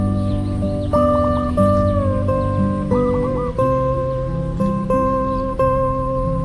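Only music is heard, a steady layered instrumental with sliding guitar-like notes and no animal voices.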